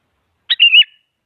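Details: Sooty-headed bulbul, a lure recording to provoke a rival so a silent bird starts singing: one short sharp note, then a quick warbling, slurred whistle wavering up and down, about half a second long, against a silent background.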